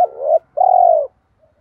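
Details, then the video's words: Cooing of spotted doves, male and female, meant to push lazy wild-caught birds to call back: a swelling rising coo, a short pause, then a longer, even, low hooting coo. "giọng chim cu gáy thúc gù dồn ép bổi lười gáy ức chế phải gáy theo"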